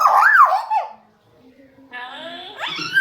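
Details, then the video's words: African grey parrot talking like a human: a warbling, voice-like phrase that wavers up and down, a quiet gap with low murmuring, then a bright rising whistled note. "African Gray Parrot talking to like humans"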